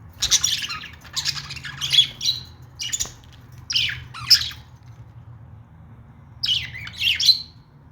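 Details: Pet budgies give clusters of short, raspy chirps and squawks, a quiet stretch, then a final burst of chirps.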